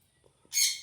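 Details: A caged sun conure lets out one loud, harsh, high parrot-like screech lasting about a third of a second, after a brief near-silent pause.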